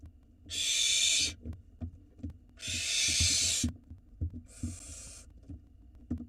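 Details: Barn owl nestlings in a nest box in Israel, live camera, begging as the father arrives with food: three harsh hissing screeches, the last weaker, about every two seconds, with rustling and tapping.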